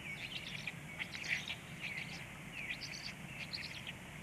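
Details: Black stork chicks at feeding time, 19:13, produce brief scratchy chattering bursts with short thin whistles between them, over a quiet low hum.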